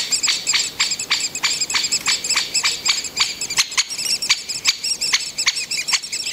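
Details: Great spotted woodpecker nestlings in the nest, fed by the breeding pair, beg with sharp, high chirps about three a second in a steady, insistent series over faint hiss; Mønsted Kalkgruber, 30 May 2020.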